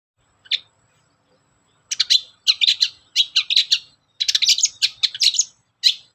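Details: Long-tailed shrike, a caged songbird kept by bird hobbyists, singing as a lure to get other shrikes singing: bursts of harsh, scratchy chattering notes in quick groups, with a short pause after the first note.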